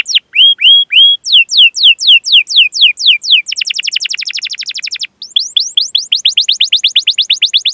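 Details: Canary song for luring young canaries: three hooked whistles, a run of slower downslurred notes, a fast buzzy roll, a short pause, then a quickening series of sweeping chirps.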